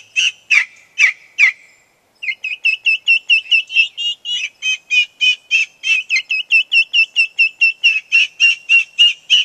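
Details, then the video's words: Distressed turkey poults on a farm, agitated because the chickens have ranged out of sight: a few loud sharp peeps, a short gap, then a long, steady run of shrill, evenly spaced cheeps from several young birds. "Upset Poults"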